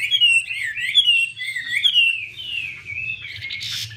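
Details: A female Chinese hwamei, displaying with spread feathers and being fired up by drumming, pours out a loud, rich, continuous warble of sliding whistles and quick twists over a faint low indoor hum.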